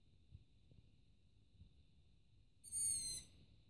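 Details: Young long-eared owl perched on a roof at night, begging for food before a parent arrives to feed it. After a quiet stretch with faint low noise, one shrill, drawn-out squeaking call sounds near the end.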